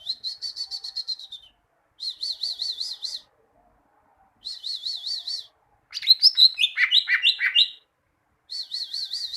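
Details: Greater green leafbird tutor song for getting kept birds to sing regularly: repeated wavering, warbling high phrases separated by short pauses, with one busier sequence of descending chirps in the middle.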